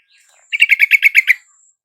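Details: Lure song of a yellow-vented bulbul, meant to make a silent caged bird reply: a single rolling phrase of seven quick, liquid, chuckling notes at an even pace.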